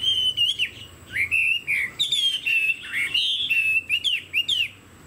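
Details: Kept Chinese hwamei, fanned tail and upright stance, singing loud rising and falling whistled phrases in quick succession, each note slurred and bright, with short pauses between bursts.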